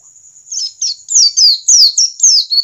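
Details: A wild-type (standard forest) white-eye sings a quick run of high, thin, down-slurred twittering notes, about three per second, over a steady high background hiss.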